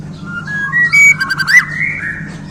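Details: Caged Borneo white-rumped shama, just handled, delivering spicy song fill-ins: a short run of clear whistled notes gliding upward, then a few quick buzzy bursts before a final rising whistle.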